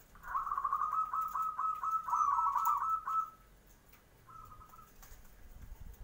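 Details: Zebra dove lure song in the morning to get other birds replying. A long, fast-pulsed trilling coo runs for about three seconds, then one short, faint coo follows after a pause.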